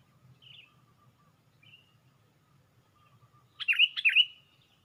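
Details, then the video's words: Lure recording of a sooty-headed bulbul raising its wings on a branch: a few soft faint notes, then a strong couplet of sharp down-dipping whistles near the end. "Pikat Burung Kutilang"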